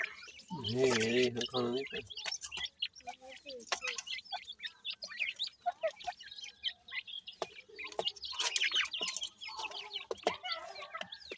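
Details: Francolin chicks at feeding time, giving a busy stream of short, high chirps and peeps from several birds, irregular and overlapping. A low, rough voice is heard briefly near the start.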